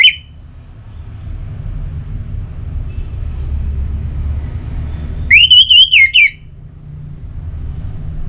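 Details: Orange-headed thrush song played to stimulate other thrushes to sing: a brief note at the start, a long low hum, then one loud phrase of fast, wavering whistles lasting about a second.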